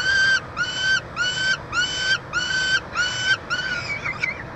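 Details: Nest-box peregrine falcons, pair with chick, University of Montreal, Canada, June 2023, chick being fed: seven evenly spaced, nasal, harmonic wails, each about half a second, ending with a rougher broken note.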